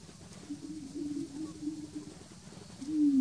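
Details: Greater prairie-chicken at the Bledsoe Ranch lek giving a low, hollow moaning note held for over a second, then a second note beginning, over faint outdoor background.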